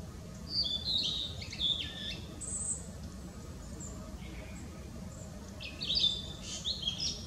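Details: Spring song of a Blue-and-white flycatcher perched in a tree on 18 April 2016, recorded on a Nikon Coolpix P900: scattered high whistled phrases with short slurred notes, distant-sounding against low rumbling noise.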